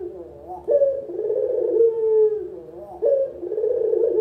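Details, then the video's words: A local spotted dove used as decoy and tutor sound, repeating low, vibrating coos that start with an upward jump and trail off in a long falling slur, about every two and a half seconds. "Masteran Burung Puter, Suara paling dicari untuk PEMULA"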